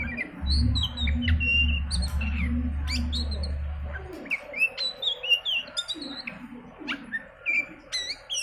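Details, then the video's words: Oriental magpie-robin song played as a lure to set other birds singing: varied clear whistles and short sweeping notes in quick succession, some sharp upslurs, over a low hum that stops midway. "pancingan Kacer, dijamin burung ikutan gacor"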